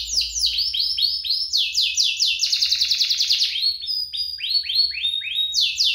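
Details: Lively canary song compiled as a master for young canaries: fast repeated downslurred whistles, a dense buzzy trill in the middle, then more spaced falling notes.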